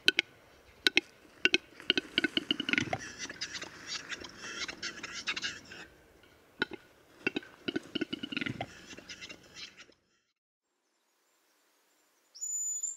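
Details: Western capercaillie in Lithuania: dry clicks that speed up, then a rapid scraping, hissing rush; the sequence repeats before falling silent. A brief high electronic tone follows.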